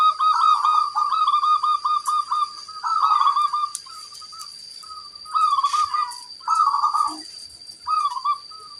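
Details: Local zebra dove in full song with a large 'kung' voice: bursts of rapid, rolling coos alternate with short clipped notes and brief pauses, with faint background bird chirps.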